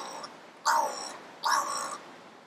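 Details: A crow gives two harsh, hoarse caws about a second apart, each loud and slightly drawn out, after a faint shorter note at the start.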